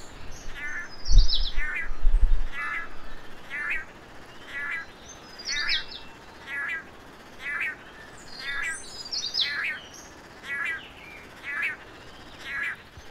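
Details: Male long-tailed manakins at a lek in Costa Rica, leapfrogging over each other near the forest floor in a display to a female, give nasal, twangy 'nyanyownh' calls about once a second, with a few soft early thumps and faint high background chirps.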